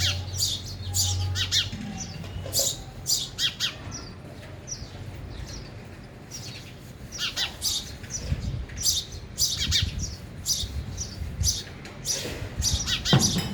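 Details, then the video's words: Sparrows around a feeder, eating and flying, with scattered high chirps that come in uneven groups, plus brief low rustles and background noise. "sparrow sound effect | ચકલી ઘર | chaklino avaj"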